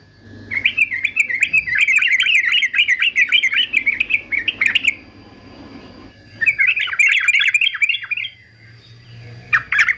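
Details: Yellow-vented bulbul, a fighter male for singing training, delivers two long bursts of rapid bubbly chatter separated by a short quiet gap, ending with a brief loud note.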